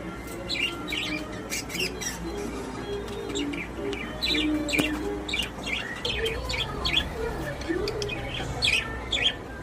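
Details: Caged pet budgerigars, described as happy and social, chatter continuously with dense overlapping chirps and warbles, faint low tonal sounds behind them.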